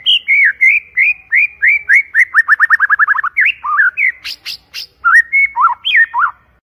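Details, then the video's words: White-rumped shama in loud, clear song: a run of even whistled notes speeding into a fast trill, then swooping varied phrases with sharp clicking notes and rising and falling whistles. "PANCINGAN MURAI BATU PALING GACOR DAN AMPUH SUARA JERNIH VOLUME KENCANG"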